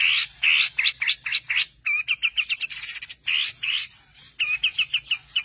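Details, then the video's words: Long-tailed shrike master song in the 'tembakan' style used for training songbirds: upswept whistles repeated quickly, followed by rows of even clipped notes and raspy bursts. "Masteran Handal pAsti nempel, tembakan mewah burung Cendet"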